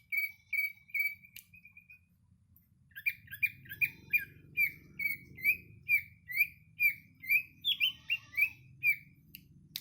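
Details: Greater green leafbird singing in Patek, Aceh Jaya, while perched on a hand: a short run of bright whistled notes, a pause, then a long, lively series of sharp chirps and whistles repeated about twice a second.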